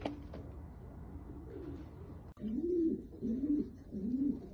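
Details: Domestic pigeon of a fancy tumbler type, cooing indoors: low rolling coos rising and falling, three clear phrases in the second half after a quieter, muffled start.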